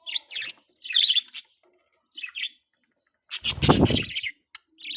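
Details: Pet baby budgerigar chirping in short raspy high bursts, followed by a louder broad rustling noise with low thuds near the end.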